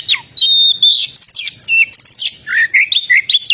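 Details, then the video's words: Oriental magpie-robin singing vigorously: a loud, rich, varied run of clear whistles, quick chirps and sliding notes, some rising and some falling, packed closely together with few pauses. "suara burung kacer gacor"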